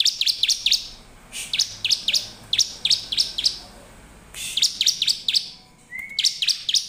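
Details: Sharp, high chirps in quick groups of three to five from a lively bar-winged prinia, played as a lure to trigger singing in other prinias; a short rising whistle near the end.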